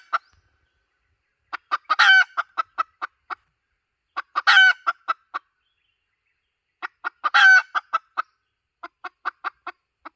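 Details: Hen calling as a lure, with trains of sharp clucks each broken by a strained, rising squawk. Three bursts about three seconds apart, then clucking tails off, with no other sounds.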